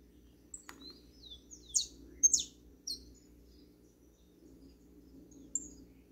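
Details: Double-collared seedeater in a backyard giving scattered high, short chirps and slurred whistled notes, loosest around the two-second mark, with a steady low hum underneath.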